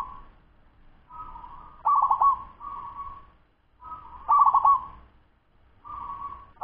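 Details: Local wild-type zebra dove, a 10-month-old bird, singing a fast song: soft cooing notes near one kilohertz, each phrase opening with a quick stuttering trill and ending in a long steady coo, repeated about every two to three seconds.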